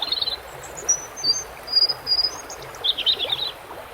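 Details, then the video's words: Red-throated songbird, a European robin, delivering high, sweet whistled notes and thin sustained tones, then a fast tinkling trill, all set against a constant background of running stream water. "bird red throat"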